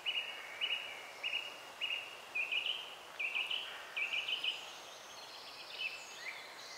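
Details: Great spotted woodpecker young begging while being fed by an adult: rasping, buzzy chattering bursts repeated about every half second, pausing briefly between clusters, with fainter higher chirps toward the end.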